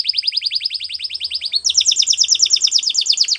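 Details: Canary training song made of a very fast, even trill of rising notes, about seven per second, which jumps to a higher, denser trill halfway through.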